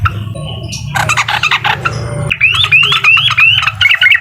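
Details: Yellow-vented bulbul in uklik song to provoke an opponent: a rough chattering burst, then a string of clear rising whistled notes repeated about every half second, over a low hum.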